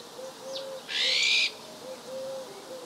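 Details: Winter recording of an Iberian magpie in Ria Formosa Natural Park, Portugal, on 31 December 2011: one harsh, rasping buzz with a faint thin note before it and soft low whistles in the background.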